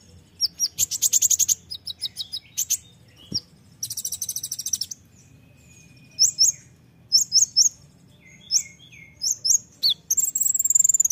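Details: Energetic olive-backed sunbird (konin) song. Fast rattling trills of crisp high notes open the sequence. Spaced bright chips follow, along with a thin drawn-out whistle and a few lower, softer slurred notes.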